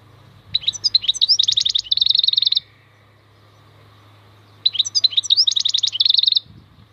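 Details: Maknine (European goldfinch) in khalwi song: two twittering phrases, each opening with varied chirps and ending in an even, fast buzzy trill, over a low steady hum.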